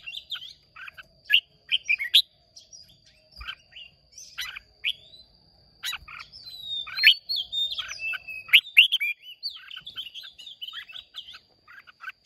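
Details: Red-whiskered bulbul singing contest, Hoa Binh, Vietnam, 30 May 2023: almost continuous chatter of quick chirps and slurred rising whistles in dense bursts, briefly pausing midway, over a steady faint high tone.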